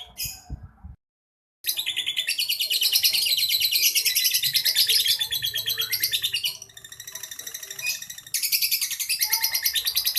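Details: Caged champion lovebird giving ngekek, after a brief opening chirp and a pause, a long loud buzzy trill of rapidly repeated notes, easing for a moment then surging again.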